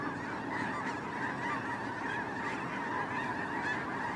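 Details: Snow geese during migration, a huge flock massed together: a dense, unbroken chorus of overlapping nasal honks and yelps, with no single bird standing out from the steady din.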